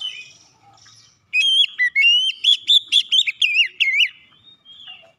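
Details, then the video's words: Lure song of an Oriental magpie-robin for rousing magpie-robins that refuse to sing; after a near-silent second, a loud stream of clear whistles and swooping slurred notes, roughly two per second, then tapering to faint notes. "PANCINGAN KACER CEPAT EMOSI 100% KACER MACET MALAS BUNYI CEPAT GACOR"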